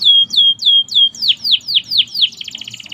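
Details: Canary of the merlok type in steady song, giving evenly spaced high downslurred whistles about four per second that grow broader, then breaking into a rapid buzzy trill.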